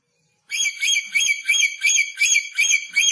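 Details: Newly arrived, aggressive red lory from North Maluku screeches in a continuous rapid series of loud harsh bursts, nearly three per second, very high and grating.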